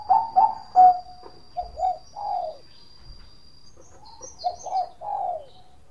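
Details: Bangkok-type zebra dove song with short bright cooing phrases, a pause, then another series of rapid rolling coos ending in a longer falling note; a faint steady high whine in the background.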